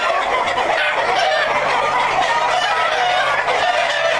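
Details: Black Jersey Giant chicken breeding flock, kept for hatching eggs, heard as a crowded wall of clucking with a few clearer drawn-out squawks rising above it and a low steady hum.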